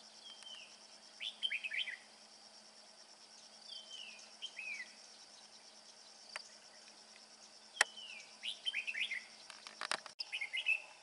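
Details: Red-whiskered bulbul father carrying food to its chicks yet still singing its ringing 'bell voice' style: several short, liquid warbled phrases with sliding notes, spaced a few seconds apart, against a constant high insect hum.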